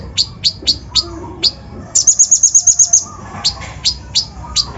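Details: Sunbird (kolibri ninja) lure song with a rough full mix of borrowed phrases, meant to rouse other birds: sharp high chirps spaced about a quarter second apart, then a fast bright trill of about nine notes, then more chirps.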